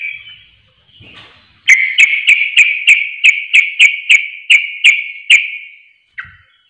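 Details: Sooty-headed bulbul as a provoking lure: after faint warbles, a rapid, fairly steady string of about twelve sharp, bright chirping notes, each with a click, ending in one lone note.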